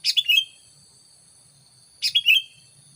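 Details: Two lively phrases from a sooty-headed bulbul lure recording meant to attract wild bulbuls, each three rapid bright notes sliding downward, about two seconds apart.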